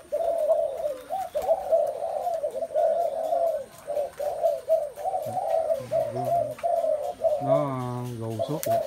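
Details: Spotted doves keep up a continuous, overlapping stream of soft low coos. Near the end a louder, buzzy, harmonic sound from some other source cuts in.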